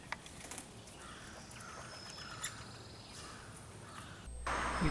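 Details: Begging cries of a three-week-old young female woodpecker at a hollow front-yard tree while the male repeatedly feeds her bread; rasping calls in a quick regular series, then a sudden loud rumbling noise at the end.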